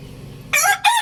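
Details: Lohmann Brown rooster giving a short, loud burst of crowing, two harsh harmonic notes in quick succession over a low background hum.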